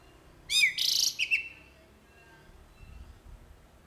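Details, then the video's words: A jalak uret starling gives a single short outburst of its fill-in song. A falling slur and a harsh buzzy rasp end in a brief trill, followed by quiet. "JALAK URET FULL ISIAN GACOR"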